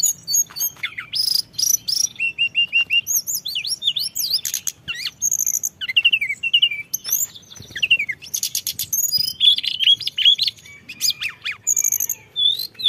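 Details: Lure recording of a white-browed shortwing packed with fills: a long, busy run of high whistles, sweeping slurred notes and dense buzzy bursts, pouring out with only brief gaps.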